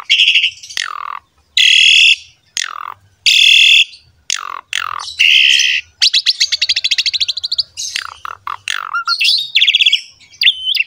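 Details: Energetic Asian pied starling song, played to teach young and communal-cage birds: long harsh rasping blocks alternate with steep downslurred whistles, then a quick rising rattle and squeaky phrases.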